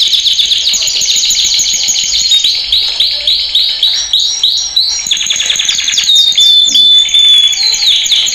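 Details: Male canary training song: a loud, continuous run of rapid, high chirps, trills and rolling phrases, with sweeping whistled notes repeated several times a second.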